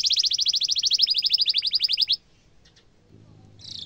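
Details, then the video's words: Canary giving a sharp rolling trill, the kind of song used to tutor young canaries: a buzzy, even trill of about ten notes a second for two seconds, then quiet and a brief new burst. "Kenari gacor ngerol tajam suara kesukaan kenari muda gampang ditiru efektif untuk masteran kenari"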